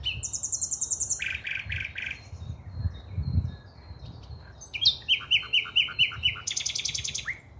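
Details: Common nightingale in full song on 5 May 2023, delivering separate phrases of fast, evenly repeated high notes, some piercing and some lower and fuller, with short pauses between phrases and faint low background noise.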